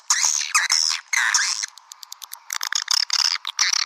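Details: Swiftlets in a lure recording meant to attract them: loud squeaky chirp bursts, a patch of quick soft clicks, then more chattering calls.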